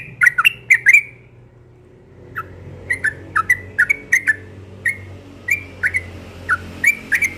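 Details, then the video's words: Singing yellow-vented bulbul at morning, fast liquid whistles at first, then evenly spaced short chirpy phrases, some rising, some falling, with soft background hum. "Burung Trucukan Ropel pagi NGOTOT"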